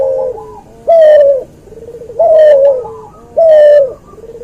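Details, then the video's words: Loud, close cuhu dove, a hybrid of a white albino puter and a puter pelung, recorded as tutor audio: three strong coos about 1.2 seconds apart, each followed by a softer, lower murmuring coo. "MASTERAN BURUNG CUHU HASIL SILANGAN PUTER ALBINO PUTIH VS PUTER PELUNG"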